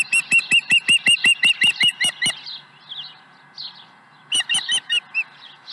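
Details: Osprey calling at the nest with an early fish, early morning on 30 April 2020: a rapid, even string of about twelve piercing whistled chirps, a lull with soft distant chirps, then a burst of four more.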